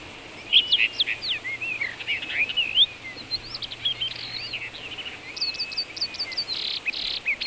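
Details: Song of a common rock thrush recorded in Azerbaijan's Shahdag National Park: lively, high warbled phrases mixing clear swooping whistles and rapid trills, flowing almost continuously with brief pauses, against soft outdoor noise.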